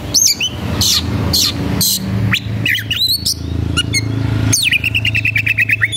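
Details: Agitated Oriental magpie-robin (kacer) singing while looking for a rival to fight: rapid mix of harsh bursts and whistled upslurs, then a fast series of repeated ticking notes, with low engine-like rumble beneath.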